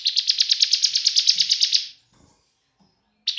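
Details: Bar-winged prinia giving lure song to stir other prinias into singing. About two seconds of quick, scratchy, evenly repeated chirps stop, a pause follows, then the rattling series starts again.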